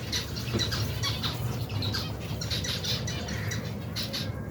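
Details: More than 120 pairs of finches and their babies in a colony, feeding; rapid bursts of high, squawky chirps from many birds at once, over a steady low rumble and wingbeats.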